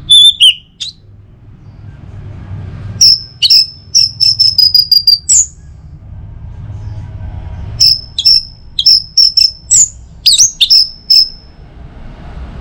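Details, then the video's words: An orange-headed thrush sings in the morning as a lure for other birds: short series of loud, high, clipped whistles repeated in quick trains, with pauses between phrases. "ANIS MERAH NGEPLONG Gacor dirumah. Pancing dengan suara burung ini baik pagi hari."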